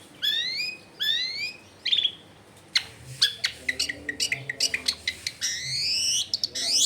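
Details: Long-tailed shrike song, a lure recording to get silent shrikes to join in singing, made at a house in a dense neighbourhood: rising harmonic whistles, scattered sharp clicks and chatter, ending in a long upward-sweeping buzzy phrase.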